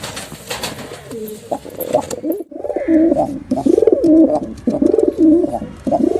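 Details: Male and female pigeons giving deep, rolling coos in rapid pulsing phrases, roughly one per second after a brief pause, loud and close.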